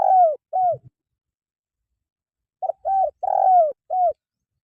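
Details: Spotted dove calling, used for training caged birds to sing: short hoarse coos in two bursts, a couple of brief notes then a longer drawn-out coo and a final note, low-pitched and clean with no other sounds.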